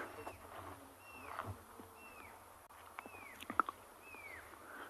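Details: Pearl-spotted Owlet on an evening sunset safari, 11 April 2022, giving clear arched whistles that rise then fall, about one each second, with a voice faintly in the background; a second owlet then calls from a distance.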